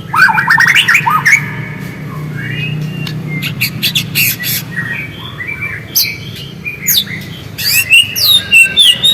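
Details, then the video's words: White-rumped shama song as a lure to stimulate singing: a fast trill of rising notes opens, then mixed chirps, sharp clicks and high sweeping whistles continue in bursts. "PANCINGAN MURAI AGAR GACOR DENGAN SUARA ASLI"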